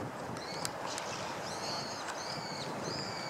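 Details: A female long-tailed rosefinch (Uragus sibiricus), recorded 7 February 2014, gives thin, high, slightly arched whistled calls, several in three seconds, over a steady hiss of background noise.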